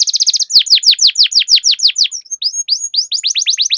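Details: Canary singing a long rolling song: rapid high chips run into a string of loud downslurred whistles, roughly five per second, with a short pause and then a renewed fast series of descending notes; faint clicks underneath.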